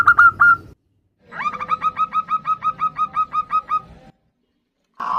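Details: A female zebra dove calls the male in an exchange of answering calls: a brief burst of notes, then a steady run of about fourteen rhythmic whistled coos, ending with another call starting.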